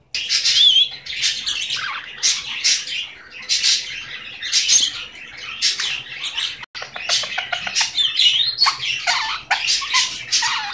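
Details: Pet male Goldie's lorikeet indoors, a talking bird: long run of shrill, rasping chatter and squeaky notes in quick bursts, with a brief gap midway.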